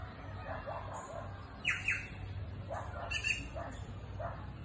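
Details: Green jays in the countryside give two harsh, downward-sweeping calls about a second and a half apart, over softer chirps and a steady low rumble.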